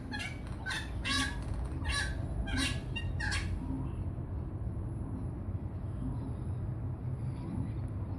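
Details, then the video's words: A wattlebird in Melbourne, heard as an alarm-clock call, gives about six harsh, raspy coughing notes, roughly one every half second, then falls silent over a steady low rumble of traffic. "wattle bird song call"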